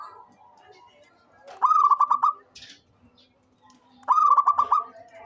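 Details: Local zebra dove, a frequently calling bird, gives two rapid cooing phrases, each a quick stutter of about seven clipped, rolling notes; faint chirps from other birds sound between them.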